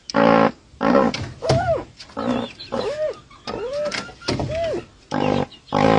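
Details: Dusky-legged guan giving an unusual vocalization: harsh, nasal honks alternating with arched, rising-then-falling tonal notes, about ten calls in six seconds in an irregular back-and-forth rhythm.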